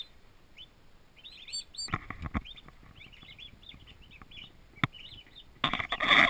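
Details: Twenty young turkey poults, just delivered to a farm nursery, keep up a chorus of bright, rising-and-falling peeps, with a few sharp knocks and clicks and a harsh rustling burst at the end.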